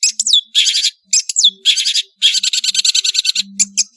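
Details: {'text': 'Long-tailed shrike, or cendet, singing vigorously: bursts of harsh buzzy rattling mixed with quick whistled sweeps, broken by brief pauses, with a faint low hum in the background.'}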